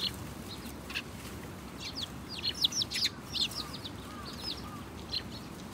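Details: House sparrow chirps in small clusters of quick high notes, with a few softer lower slurred calls between them and a quiet background hum.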